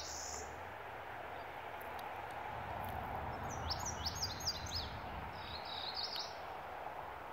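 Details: A cerulean warbler at Ottawa Lake Recreation Area, Kettle Moraine State Forest, sings a quick run of high, buzzy notes that speed up and end in a thin buzz, over a steady rushing background hiss.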